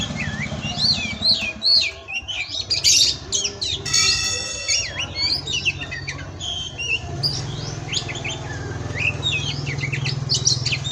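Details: Oriental magpie-robin (kacer) singing in the pastol style used as masteran training song: rapid varied whistles, sweeping slurs and chattery notes, with a brief harsh burst near four seconds and a steady low hum beneath.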